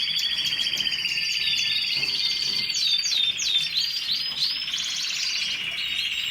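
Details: Canary song rich in fast rolling trills held at a steady pitch, topped by sharp high sweeping notes, dense and unbroken over the whole stretch.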